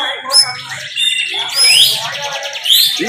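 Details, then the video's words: Bar-winged prinia in a singing contest, pouring out continuous 'bren' song: quick buzzy high ticking with loud, rising whistled sweeps near the end, other contest birds calling underneath and a low hum. "LOMBA CIBLEK FULL BREN"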